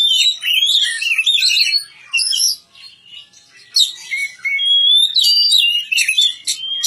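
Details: Song of an Oriental magpie-robin: rich whistled warbles and squeaky chirps in several bursts separated by short gaps, ending with long clear whistles and quick high notes.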